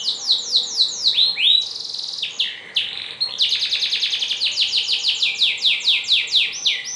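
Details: Master song of a canary for teaching canaries to sing: rolling high trills of rapidly repeated notes, interrupted by a few drawn-out sweeping whistles, then a long, steady, fast trill.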